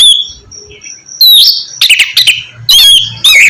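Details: Oriental magpie-robin (kacer) song used as a lure to get silent birds singing: a thin held whistle, then harsh chattering bursts and sharp rising whistles.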